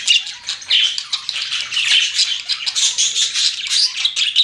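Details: Pet budgies giving a lively run of squawky chirps and rasping warbles, bursts rising and falling every fraction of a second.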